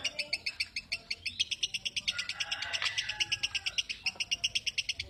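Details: Lovebird chattering in fast, evenly pulsed shrill chirps, several per second throughout, rising slightly in intensity near the middle, over quiet low background rumble.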